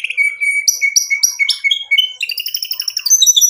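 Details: White-rumped shama, a gacor (vigorously singing) murai batu used as a lure to provoke rivals, pours out a varied song: sustained whistle near one pitch, then repeated buzzy notes and high chattering trills.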